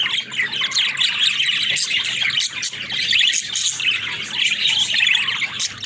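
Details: Rapid, squeaky twittering from several pet budgerigars, with chirps and warbles densely overlapping throughout.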